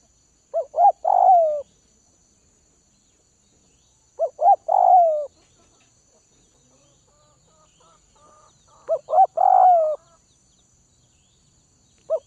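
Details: Tamed spotted dove from the Northwest region coos three phrases about four seconds apart, short paired notes then a drawn-out falling coo, with faint clicking between phrases and a fourth phrase starting.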